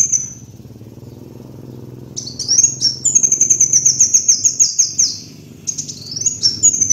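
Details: Van Hasselt's sunbird on a bird-luring recording: about two seconds of quiet, then long sequences of rapid, very high, sharply down-slurred notes with brief pauses. A constant low hum sits underneath.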